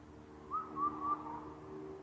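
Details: Indian cuckoo in Karuizawa, Japan, where the species is a rare migrant: a clear four-note whistled phrase, three even notes then a softer lower fourth, with a faint low steady hum underneath.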